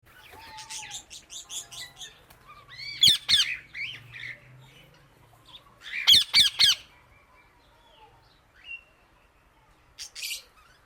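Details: Indian ringneck parakeet calling loudly to other birds: harsh squawks in bursts of three to four near 3 seconds and again near 6 seconds, between softer chattering chirps and a few quiet gaps.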